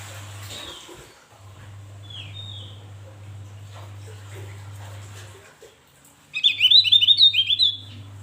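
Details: Javan grey-throated white-eye (opior Jawa) in lively, full song used as tutoring material for cage birds: after several seconds of quiet low hum, a rapid burst of high, sweet twittering chirps in quick succession runs for about two seconds.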